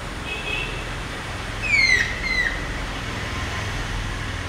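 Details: A stork-billed kingfisher, one of a courting pair in mango trees at a pond's edge, gives two clear, falling whistled notes, the first longer, over steady traffic rumble.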